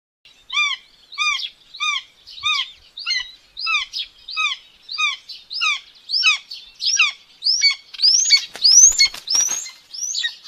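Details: Common buzzard chick on a live nest camera in Tiszalök, Hungary, behaving aggressively during breakfast feeding on May 5, 2024. Clear down-slurred calls repeat about every 0.6 seconds, then turn higher and more hurried near the end amid rustling clicks.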